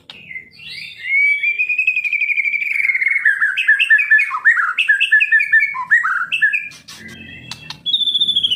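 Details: A white-rumped shama kept for singing contests opens with a sustained whistle that drifts lower, then tumbles into a rich series of varied warbles and slurs, ending on scratchy high notes and a thin whistle.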